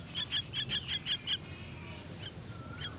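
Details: Myna chicks being fed give a quick string of seven shrill, rasping chirps, then fall quiet with a few faint notes.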